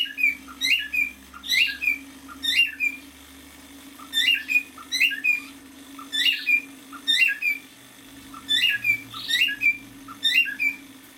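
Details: Male cockatiel about half a year old, a pet indoors, singing a phrase of short whistled and chirpy notes in quick bursts, the phrase repeated three times with brief pauses between, over a faint steady low hum in a small room.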